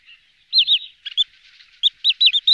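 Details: Wood sandpiper giving high, clipped whistled notes in short groups of two to four, with softer scratchy sounds between the bursts.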